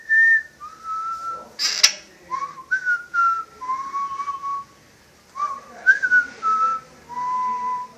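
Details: Pet parrot indoors, said to wolf whistle and whistle the marching song from Bridge on the River Kwai, gives a run of clear pure whistled notes, some rising, most level and falling in pitch, with short pauses between phrases.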